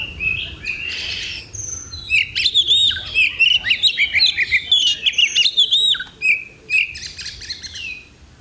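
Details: Competing Oriental magpie-robin, Thursday 8 October 2020: after a soft opening, a brisk series of looping whistles and snappy chirps repeats roughly twice a second, ending in a few spaced whistled notes.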